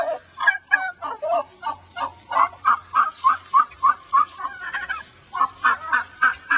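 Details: Angry egg-laying hen in a pen, displeased at being let back into the big pen, repeating short turkey-like gobbling notes about three times a second in a steady run; faint low hum behind.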